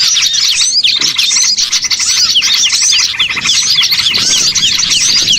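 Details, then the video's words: Small-bird lure used to attract birds for catching: lively, overlapping high chirps with looping whistled notes, densely packed and continuous with short lulls. "MP3 PIKAT BURCIL"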